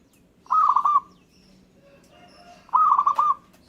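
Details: Local-type zebra dove singing, a song said to set other birds answering and singing. Two short bubbling cooing phrases about two seconds apart, each a pulsed run of rolled mid-pitched notes, with faint thin sounds between them.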